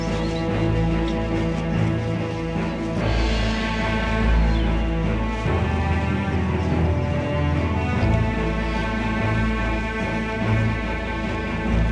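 Dense, dramatic instrumental music with heavy low tones plays throughout, with no animal sounds.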